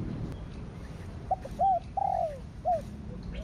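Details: Spotted dove, coo style thổ đặc thúc kích bổi (thổ sấm), heard more distantly: a few soft arched hoots and one longer falling note over a low background rumble.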